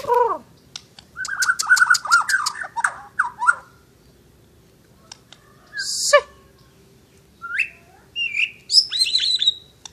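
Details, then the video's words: Asian brown flycatcher singing actively: a falling note, then a rapid warbling phrase laced with clicks, a pause, a loud harsh rasp, and finally thin high whistled slurs repeated in quick bursts. "Burung mure bordan gacor"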